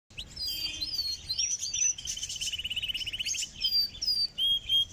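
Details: Close-up of a canary in North Rhine-Westphalia, Germany, singing a fast, varied song of high whistled notes, sliding phrases and quick rattling trills running together without a pause.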